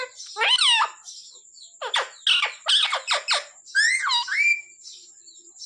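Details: Talking pet parrot saying mummy, said to ask for roti; a harsh drawn syllable, then a quick string of scratchy speech-like syllables and a wavering falling word, with a steady high electronic whine behind.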